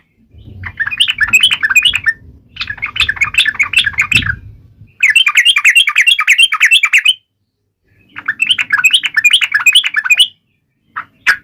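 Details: Yellow-vented bulbul taunting rivals: four long bouts of quick, buzzy, trilled chatter, the first two over a low rumbling background, ending with a short final burst.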